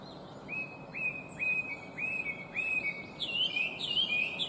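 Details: Chinese hwamei, an invasive alien species, repeating a clear upslurred whistle about five times at steady intervals, then breaking into faster, richer warbled phrases.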